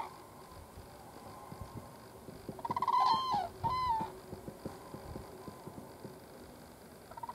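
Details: Common cranes, two birds on farmland in southern Sweden, 22 September 2015, giving a short burst of rattling, bugled trumpet calls mid-clip before flying off, with scattered soft clicks and rustling around them.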